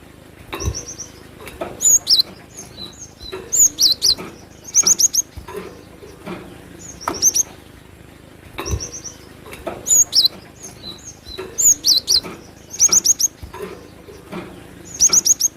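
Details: Cinereous tit singing actively: very high, thin chirps in quick bursts of two to four notes, bursts repeated about every second over a steady background hiss with occasional thumps.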